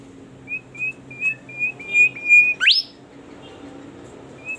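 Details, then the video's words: Bimoli bird in lively, melodious song: a series of short, level whistled notes at an even high pitch, about three per second. They build to one loud, steeply rising slurred squeal, then pause before a final whistle, over a faint low hum. "burung bimoli gacor merdu suaranya"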